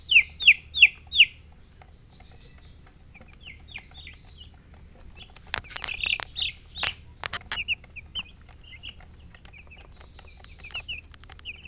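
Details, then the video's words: Baby domestic chicks chirping, opening with four loud high descending peeps in quick succession, then softer scattered peeps mixed with rustling and tapping sounds, a few louder peeps returning near the end. "Baby "Chicks Chirping" Sound"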